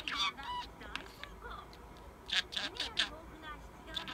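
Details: Sleeping pet parakeet murmuring mimicked words, mostly 'tired' in Japanese; low, slurred talk broken by clusters of brighter chattering notes near the end.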